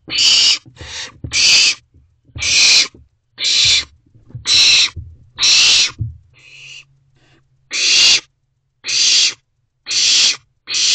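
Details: Owlets in a nest box late at night in June give a rapid run of about a dozen harsh, breathy hissing screeches, nearly one per second, with a brief pause broken by a fainter rasp, plus low rustling.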